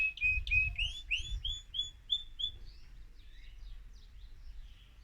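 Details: Excited male mosaic canary singing to stimulate other birds: a series of short whistled notes about four per second, with overtones, then softer high notes fading out.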